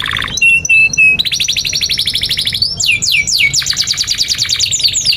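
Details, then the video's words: Canary tutor song for young canaries and birds that have stopped singing. Short flat whistled tones open, then a fast buzzy trill, sweeping slurs and a rolling series of rapid notes. "GACOR SUARA 19a Kenari GACOR PANJANG INI Cocok untuk Masteran KENARI PAUD dan Kenari Macet"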